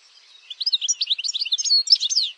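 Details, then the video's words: European goldfinch song in a wild style: a quick tumbling twitter of high, varied liquid notes lasting under two seconds, clean with no other sounds. "El Jilguero"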